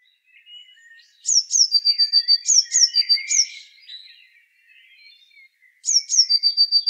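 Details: Eurasian blue tit singing: a few very high, thin notes sliding down into a fast, even, ringing trill. Two such phrases come a few seconds apart, with softer lower twittering in between.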